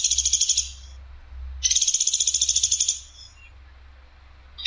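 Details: Woodpecker called platuk sampit, in an Indonesian tutoring recording with a clear voice and rough, sharp bursts: a high rattle of fast pulses, a pause, then a longer rattle over a steady low background hum.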